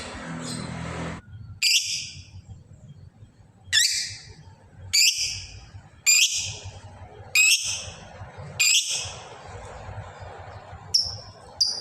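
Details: Lovebird calling to a rival: a series of separate shrill, harsh screeches, about one every second and a half, over a low steady hum.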